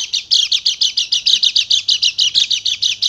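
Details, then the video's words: A white-eye pours out a fast, steady chattering stream of high, bright, sharp chirps, about six or seven notes a second. "PANCINGAN PLECI MACET BUNYI JADI EMOSI DAN GACOR"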